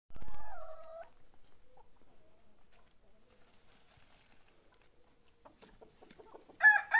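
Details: Domestic hens, with a grapevine sprouting, give a loud, nasal, falling squawk, then soft scattered clucks before another harsh squawk bursts out at the end.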